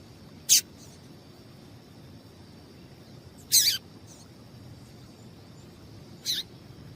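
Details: Calls of a female papa-capim seedeater, used to stir up males: three brief, bright high-pitched chips spaced about three seconds apart, with a quiet steady background hiss.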